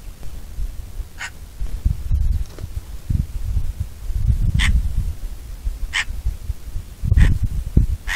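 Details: Bonelli's eagle heard in a few spaced, short, harsh call notes, roughly one every second or two, with gusty low wind and rustling in the background.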